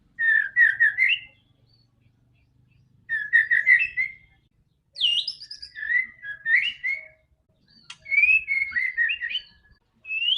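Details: Song of a white-rumped shama played to coax a silent bird into singing: repeated bursts of clear whistled notes and rising slurs, each phrase about a second long with short gaps between, faint low rumble early on.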